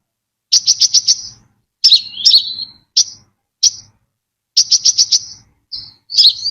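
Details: Brown-throated sunbird song, a clean lure recording without background noise: bursts of four or five sharp, high chips run together, a slurred note falling in pitch, then single chips and another quick chip burst.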